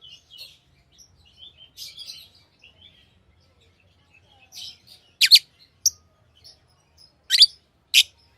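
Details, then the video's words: Lovebirds twittering softly at first, then giving several loud shrill chirps in the second half, no other sounds. "Love birds Sounds | lovebirds chirping sounds"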